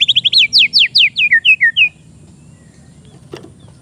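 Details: Young caged oriental magpie-robin, recorded as a training lure: a rapid run of about twelve steeply falling whistled notes lasting two seconds, then quiet with a faint click.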